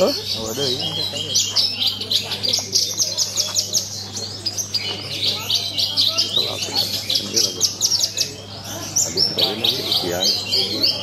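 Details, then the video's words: Horsfield's bush lark (branjangan) singing at a bird-singing contest: dense, rapid, high chattering and trilled phrases delivered nonstop, with other birds and voices of people talking in the background and a steady low electrical hum. "BRANJANGAN GARUDA MAS MAIN APIK"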